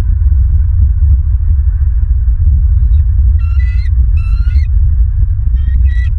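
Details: Bald eagles at a nest watched by a live camera in Southwest Florida, recorded 25 November 2022 at 21:09; three bursts of high, harmonic chittering calls in the second half over a constant loud low rumble.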